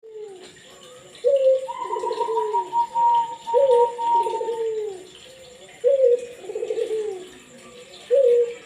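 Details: Kept Barbary dove cooing, used to prompt silent doves to call; low hollow coos open with a sharp clear note, then a rolling, falling phrase, about every two to three seconds, with a faint steady whistle tone behind.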